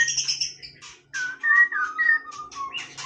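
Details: White-rumped shama singing casually, giving short clear whistles and slurred notes after a buzzy high opening, over a steady low electrical hum.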